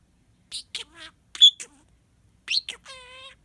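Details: Pet budgerigar talking, mimicking the words "kiss kiss kisses": a few short, raspy, high syllables, then a longer buzzy harmonic note at the end, in a quiet room.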